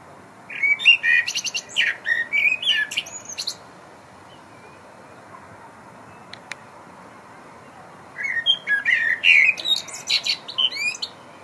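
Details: Blackbird singing at dusk from a concrete high-rise rooftop, eleventh floor: melodious low whistled phrases with high, scratchy trills tacked on, two song bursts split by a quiet pause, one faint click between.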